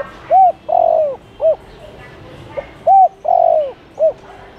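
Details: Spotted dove calling to lure wild doves, two clear phrases of low cooing: a short hoot, a long wavering downward croo and a clipped end coo, separated by about a second and a half.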